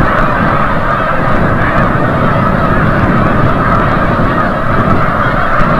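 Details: Sunset return of wild Snow Geese from the bay at Forsythe National Wildlife Refuge, New Jersey: massed honking calls, harsh and nasal, overlapping without pause from countless birds.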